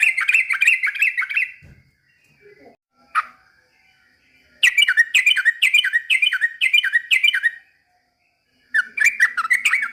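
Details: Trucukan copying white-rumped shama song: a dense run of bright whistles, a pause with a single sharp note, then a long series of about eight evenly repeated downslurred whistles with clicks.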